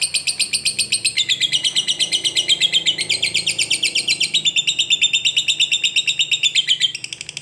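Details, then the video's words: Caged lovebird, a fighter type, giving its long ngekek chatter, used to provoke lazy lovebirds into singing: a continuous run of sharp, high chirps, about five to six per second, lasting several seconds without a break. "Lovebird ngekek Panjang"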